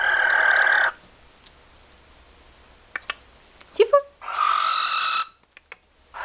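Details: A small captive barn owl gives two long, rasping hisses, each about a second, demanding food. Between them are soft clicks and a brief human voice.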